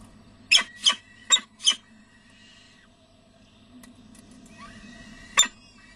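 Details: Peregrine falcons at De Mortel, recorded 6 May 2009 at 11:28 while the male arrives with prey and feeding takes place. Four loud, harsh, rasping calls come quickly, followed by a quieter pause, faint rustling and a final sharp call.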